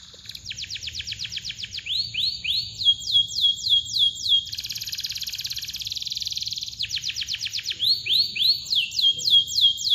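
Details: Singing canary in a tutor recording meant to get silent birds singing, with long, tight rolling chirps: bursts of rapid rising sweeps, then a dense sustained trill lasting about two seconds, followed by more swept chirps.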